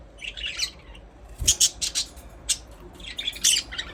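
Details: Budgerigars chirping indoors: bursts of rapid, scratchy high-pitched chirps and squawks, clustered in short clumps with brief gaps, over a faint steady hum.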